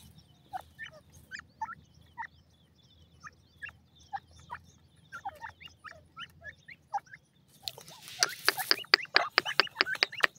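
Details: Black francolin chicks give thin, high peeps, scattered several per second, then a louder, harsher run of rapid calls near the end.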